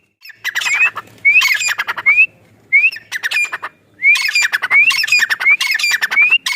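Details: A female francolin in Rahim Yar Khan, Punjab, Pakistan, gives harsh, grating calls in quick bursts, each ending in a rising squeaky note, repeated about every second in several clustered runs.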